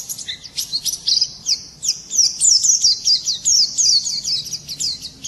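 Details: Thin, rapid chittering song from a white-eye in the morning, notes tumbling quickly at a very high pitch.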